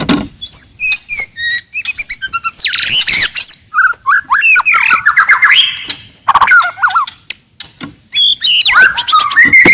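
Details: Very loud, aggressive wild forest white-rumped shama song to incite rivals: rapid high chips and whistles, harsh buzzy bursts, and varied warbled phrases packed densely together.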